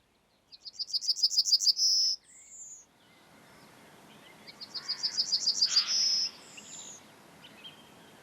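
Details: A Yellowhammer in Estonia sings two phrases: a quick run of about eight high, dry repeated notes, each ending in a long drawn-out wheezy note, over faint hiss.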